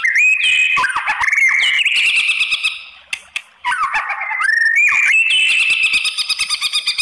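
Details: White-rumped shama song used to provoke other shamas into answering and showing their repertoire: loud, dense, varied phrases of rich whistles, sweeping slurs and rapid rattling trills, pausing briefly before resuming.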